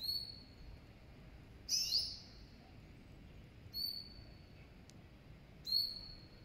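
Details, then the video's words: Hybrid of serin and goldfinch uttering four bright, high chirps with short downward slides, spaced roughly two seconds apart over a soft steady hiss. "تغريد هجين السمريس كهجين الحسون"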